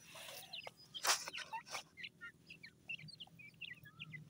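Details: Francolin chicks feeding in a forest: many short high chirps and peeps overlap, with a few loud rustling bursts early on and a faint low hum underneath.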